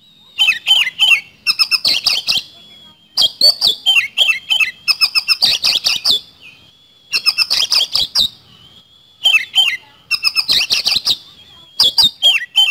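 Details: Oriental magpie-robin delivering a fast 'nembak speed roll' lure song: five tight bursts of rapid ticking and rattling notes, each run closing with a high falling whistle, separated by short pauses and steady throughout.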